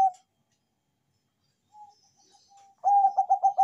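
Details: Zebra dove of the Bangkok type singing: a brief coo at the start, soft faint notes, then a loud phrase of throbbing, evenly pitched coos beginning near the end.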